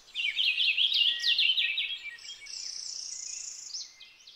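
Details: Purple finch warbling a rapid string of slurred notes for about two seconds, then a higher, thinner continuous twitter that trails off.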